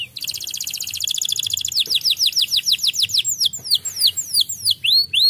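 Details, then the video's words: White canary singing so as to agitate other canaries: a rapid buzzy trill, then a long series of quick falling whistled sweeps, followed by varied hooked notes. "KENARI PUTIH BIKIN KENARI LAIN EMOSI dan bunyi"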